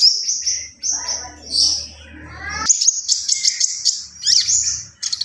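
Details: Javan pied starling singing gacor full isian: a long high, thin whistle and squeaky notes, followed by a tumbling run of rapid, sharp chirps, with a low hum early on.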